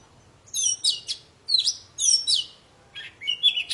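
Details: Oriental magpie-robin (poci) in full vigorous song, used to prompt silent birds to sing again: loud, sweeping whistled phrases and buzzy bursts in short clusters, a brief pause after each, ending with a rising whistle.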